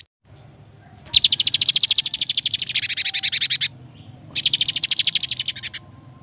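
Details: Young great tit delivering its rolling trill, known locally as ngerol, meant as a lure for kept birds. Two long, very fast runs of high, buzzy repeated notes, each lasting around two seconds, separated by a short pause.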